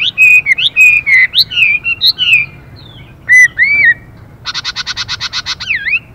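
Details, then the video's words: Male and female Chinese hwamei together: loud whistled, slurred phrases around mid-high pitch shifting tone repeatedly, then a rapid buzzy rattle of about twelve harsh notes from the female, ending in a looping whistle. "họa mi hót Đảo Giọng liên tục kèm thêm tiếng chim mái xùy kích bổi nhanh"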